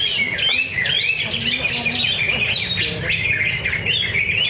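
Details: Greater green leafbird at a bird-singing practice contest at Danau Bumi Restu, Cikunir, singing rapidly and continuously with bright chirps, trills and slurred whistles, overlapping other birds with faint voices behind.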